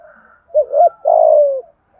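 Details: Spotted dove used as a decoy, calling to provoke wild doves; a single clear phrase with two short rising-falling coos leading into a long, slightly falling, rough coo.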